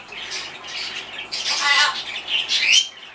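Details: An indoor blue-and-yellow macaw in a good mood, when it talks on its own, gives harsh, raspy squawks and chattering, voice-like syllables over about three seconds, ending in a short rising whistle.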